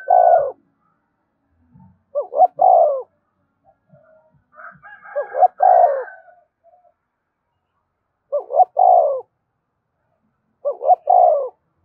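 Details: Spotted dove coos played for captive birds to sing along: five three-part phrases, two short rising notes and a falling hoot, a few seconds apart, with a brief higher whistling in the middle.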